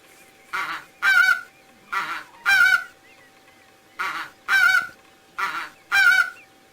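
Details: Goose honking in paired nasal blasts, a short call then a louder one, repeated four times at about one-second spacing, with a faint steady hum behind.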